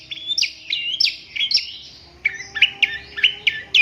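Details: Long-tailed shrike singing: a run of sharp, downslurred whistled notes repeated roughly every third of a second, then a brisker series of clipped chirps, with a faint steady hum underneath.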